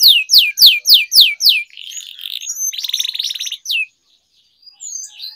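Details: Canary singing training with long rolling song: five loud downswept whistles about a quarter second apart, then buzzy rolls, a dense rattling trill and a few soft high notes after a pause.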